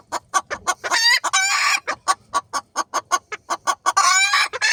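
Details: Decorative dwarf bantam chickens, a group including a young rooster, giving rapid, loud, regular clucks several per second, broken by two longer harsh squawking bursts.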